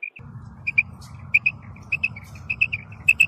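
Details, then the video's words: Female batair, or quail, giving its natural call: clear high notes, mostly doubled, repeated at a fairly even pace against a soft low hum. "Female Batair Sound"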